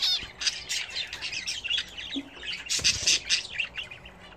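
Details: Home-kept budgerigars bathing, giving dense high chattering warble with scratchy squawks and rapid chirps in overlapping bursts, several birds calling together, with a low thud near the middle.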